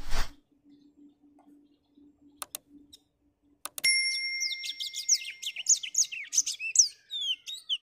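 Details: Caged black-throated finch singing on a cloudy morning; after a few clicks and knocks, a steady tone begins and a rapid run of high chirping, slurred notes follows for about four seconds.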